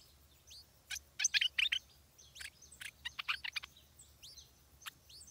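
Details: A stripe-throated bulbul chick, being fed by its parents, gives sharp, high chirps and squeaky notes in quick bursts, with a few thin upslurred whistles between them; faint background hum.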